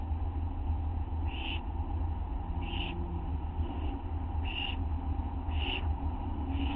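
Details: Owlets at night, 1:29 AM on August 9, 2011, while a parent brings a tiny mouse to the nest. Five rasping hiss bursts sound at uneven one-to-1.5-second intervals, with constant low hum underneath.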